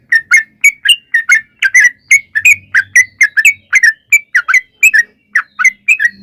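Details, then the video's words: Sooty-headed bulbul song used to make other birds sing: steady series of bubbly, slurred whistled notes in twos and threes, lively and fairly evenly spaced across the whole stretch. "trucukan gacor NGALAS ROPEL PANJANG"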